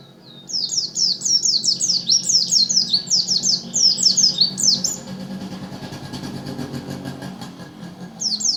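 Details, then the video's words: White-eye from Lumajang singing a fast, high twittering string of downslurred chirps for about five seconds, then fading; a steady low rumble of vehicle noise runs underneath throughout. "Burung pleci lumajang"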